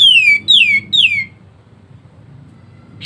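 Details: Pied triller (kapas tembak) in ngebren rapat song used as a master song for songbirds: three strong whistles, each sliding steeply downward, given in quick succession, followed by quiet.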